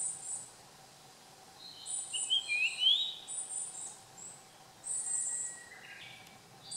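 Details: Japanese grosbeak song from 30 June 2015: a short run of bright whistled notes climbing and sliding upward, set against rhythmic bursts of high insect buzzing and a faint background hum.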